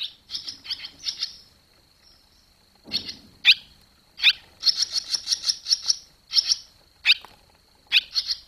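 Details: Young barn swallows fledging on 21 July 2023 give runs of quick sharp chirps, a low rustle near three seconds, then a long rapid series of bright notes and scattered single calls.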